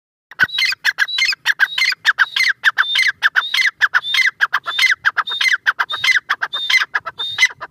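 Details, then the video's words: Pair of Iranian teetar (francolin) calling together: harsh, rapid, overlapping notes, each phrase opening with a high whistled tone that drops into grating syllables, repeated about every half second. "Teetar pair ki awaz | irani teetar ki awaz"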